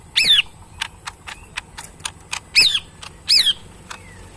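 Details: Caged pet lesser green leafbird (cucak ijo mini) gives three loud, high, downward-bending squeaky notes among steady background clicks.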